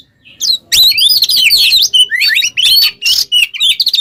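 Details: Kacer, or Oriental magpie-robin, in full gacor ngobra teler song meant as a training master for songbirds: after a short quiet start, a dense stream of bright whistles, slurred sweeps and scratchy buzzes.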